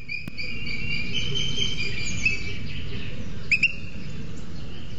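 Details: Booted eagle nest on a webcam in Sierra de Guadarrama National Park, Spain, where the male arrives with a lizard for the incubating female. Drawn-out high, slightly wavering whistled notes, then a brief double note, over constant low background rumble.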